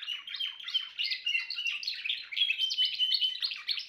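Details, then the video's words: Timbrado canary song of fast warbling trills and buzzy rolling notes, with short steady whistles woven in, continuous and lively throughout. "meilleur chant canari l chant canari timbrado"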